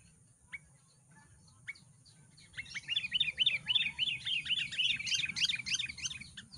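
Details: Sooty-headed Bulbul from Lubuklinggau, a lively calling bird meant to draw wild bulbuls close. Two isolated chirps, then from midway a dense, continuous run of quick bubbly whistled notes that grows busier toward the end.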